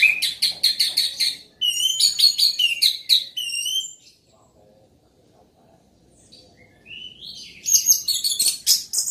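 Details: Loud, continuous singing from an orange-headed thrush: chattering bursts and wavy whistled notes repeated about two and a half times per second, a quiet gap mid-clip, then a rising slur and dense buzzy trills.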